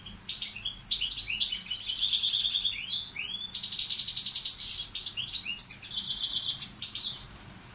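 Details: Balkan goldfinch (balcanica) tutor singing varied tours: liquid twitters, sweeping slurred notes, dense buzzy trills and sharp high squeaks, loud and continuous.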